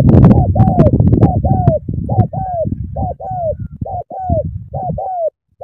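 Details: Spotted dove, Cà Mau, Vietnam, cooing in the sắm thổ style: a run of paired falling coos, at first half-buried under loud low rumbling and clatter, then clearer toward the end.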